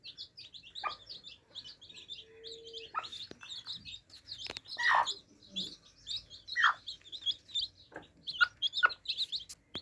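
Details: A flock of day-old chicks drinking: constant high-pitched cheeping, a short steady hum early on, and louder pecking knocks that grow more frequent toward the end.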